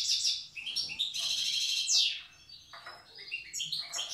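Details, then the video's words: Wild European goldfinch from Tiaret singing old-style song, recorded with some background hiss and reverberation: quick chattering phrases, a rising-falling rasping burst, then scattered bright twitters. "تغريد حسون تيارت( أداء الحسون البري اللغة القديمة)"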